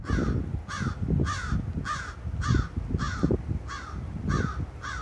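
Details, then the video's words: Crows calling at a high school in Chatham, Ontario, on June 11, 2023: harsh, hoarse caws repeated about every 0.6 seconds in a steady series, over low rumbling background noise. "Crows making some noise."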